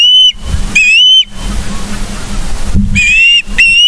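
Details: Osprey at Charlo, Montana, 31 August 2023, 09:36, live nature cam: loud whistled call, a pause of over a second with low rumbling noise, then two more sharp whistles.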